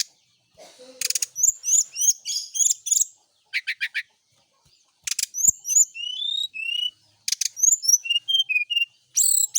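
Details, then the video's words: Brown-chested jungle flycatcher, exposed to morning dew by its keeper to make it sing more, delivering dense chattering trills followed by thin descending whistled notes in a lively varied sequence. "pengembunan SRDC di pagi hari biar rajin bunyi."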